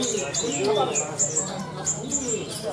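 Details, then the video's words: A blue-crowned hanging parrot at a serindit songbird contest in Malinau, North Kalimantan gives thin, very high, sharp notes repeated every few tenths of a second over a murmur of voices and background chatter. "lomba burung serindit"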